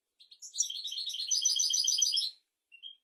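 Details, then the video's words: European goldfinch in 'royal' song, used to tutor goldfinches and canaries: a dense, rapid twittering phrase of about two seconds, high and tinkling with bright metallic notes, after a few short lead-in chirps and ending with one thin rising note. "تغريد طائر الحسون ملكي"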